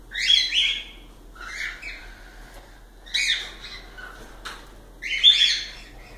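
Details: Cockatiel song made of raspy, buzzy, rising-falling notes in bursts: a loud double call at the start, softer calls in the middle with a brief click, and a strong harsh call near the end.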